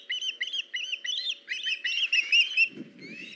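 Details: Ospreys at their nest on 21 August 2019 during a fish delivery: quick series of bright whistled chirps, clustered and slurred, pausing briefly midway, then a soft low rustle near the end.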